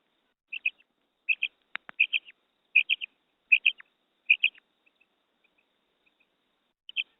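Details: Female quail calling, recorded for use in hunting: clipped, bright double notes, each pair quick like a stutter, repeated roughly every three quarters of a second, then a short quiet stretch with faint ticks before another pair.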